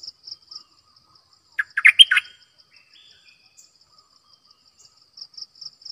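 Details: Single cheerful phrase from a decoy bulbul: a tight cluster of sweet, slurred chirps. Repeated soft high pulsing sounds before and after.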